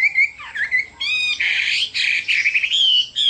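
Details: Chinese hwamei song, loud and harsh-edged: rich, buzzy whistled phrases with dense overtones, run together almost continuously, ending in clear high whistles.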